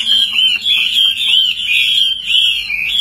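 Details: Chinese hwamei, a tame caged fighting bird, singing as its cage is carried and shaken. Steady stream of loud, wavering, slurred whistles with little pause, over a faint low hum.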